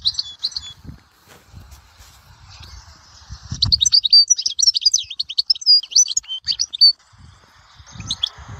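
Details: European goldfinch at Dahouara, Souk Ahras, giving a brief twitter, then a lively three-second stream of rapid tinkling, chirping notes and a final short burst, over soft low background noise.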